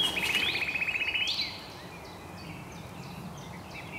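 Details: Common nightingale singing in woodland at RSPB Highnam Woods, Gloucestershire, UK, on 2nd May 2012, among several nightingales: a fast rattling trill of repeated notes for a second and a half, ending in an upward sweep, then fainter distant phrases.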